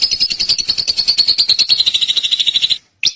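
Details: A drongo gives a continuous rapid trill of high, pulsing notes for nearly three seconds, followed by a brief pause and a single sharp note.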